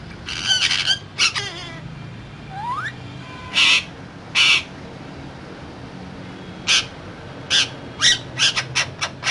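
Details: Parrot said to be talking, with scattered short harsh squawks and bursts, one thin rising whistle, and a quick run of clipped notes near the end.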